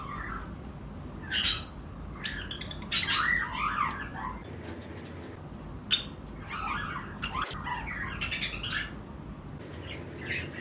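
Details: In a breeding-season flight colony of lovebird pairs with other birds nearby, scattered bursts of squeaky, twisting chirps come a few seconds apart over a quieter background.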